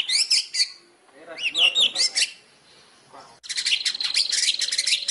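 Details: White-rumped shama singing with imitations of fighting sparrows: short bursts of high, chirpy, sweeping notes, a brief pause with faint lower sounds, then a dense run of rapid, scratchy sparrow-like chattering.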